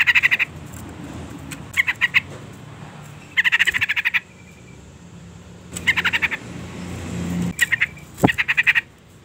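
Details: Sooty-headed bulbul female call meant to provoke the male, with six short bursts of rapid harsh chattering notes spaced irregularly, and a low hum in the background.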